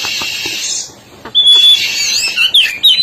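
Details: East Javan black-breasted oriental magpie-robin in full song: a hissing, scratchy phrase, a short pause, then a long level whistle followed by quick twisting whistled notes.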